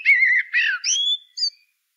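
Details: Brief blackbird song of flowing, warbled whistles that slide upward into a thin high note, ending with a short clipped whistle.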